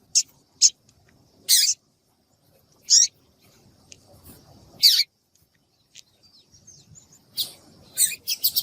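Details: Double-collared seedeater (Sporophila caerulescens), female call: female calling to stimulate males to sing.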